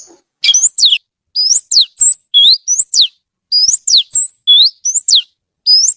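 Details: Oriental magpie-robin song: crisp whistled notes in short groups, steep down-sweeps alternating with rising slurs and a level high whistle, repeated with brief pauses.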